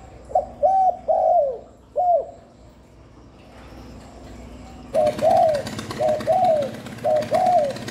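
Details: Spotted dove repeating its call, used to lure doves: two four-note phrases of mellow, arched coos, the second phrase over a steady background hiss.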